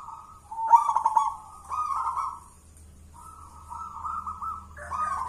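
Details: Contest-winning local zebra dove from Mojopahit on Java, hand-raised after being found in the wild, gacoran song: smooth level coos broken by rolling trills, a gap of silence, then longer sustained cooing that ends a step higher.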